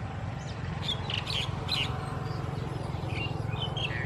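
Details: A Red-wattled Lapwing (Vanellus indicus atronuchalis) at Ban Thai Talat, Khao Yoi, Phetchaburi, Thailand, on 28 August 2020, gives a quick burst of shrill, high notes, then a few scattered sharper calls, over a steady low rumble.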